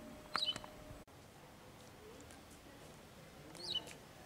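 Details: Wagtail chicks during feeding by the male and female parents, who bring small ants and soft food first, then larger worms: two brief bursts of high, thin squeaky cheeps about three seconds apart, with quiet background hiss between them.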